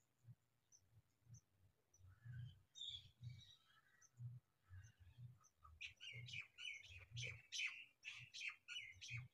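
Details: House sparrow pair, male and female, attending their chicks; soft twittering at first, then a busy run of loud repeated chirps, with low thudding sounds throughout.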